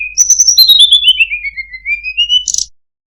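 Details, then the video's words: Sunda robin (tledekan gunung) delivering a sweet song phrase of rapid high notes that glide down in a long chain of whistles, then rise again and end with a harsh burst, followed by silence. "suara burung tledekan gunung, sangat merdu cengkok bagus"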